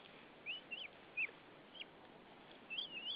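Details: Wild female white-tailed eagle calling to her mate at their nest in Saunja, Estonia, as he arrives with hay, 20 March 2013, evening; high thin yelping notes, rising and falling, spaced irregularly, then a longer wavering series.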